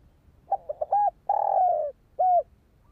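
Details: Spotted dove (Spilopelia chinensis), coo call.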